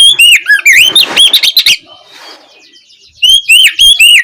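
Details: Kacer, or Oriental magpie-robin, singing in open ngeplong style as an afternoon lure to prompt a reply: quick run of bright whistles and chattering notes, a short pause, then clear looping whistles resume.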